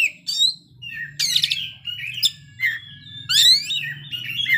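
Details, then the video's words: An Oriental magpie-robin sings a full, rich, varied song of clear rising whistles mixed with harsh, scratchy bursts, over a faint low hum. "kacer ngeplay bongkar isian"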